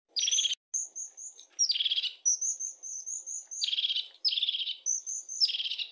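A European crested tit gives thin, high notes followed by short, buzzy, purring trills.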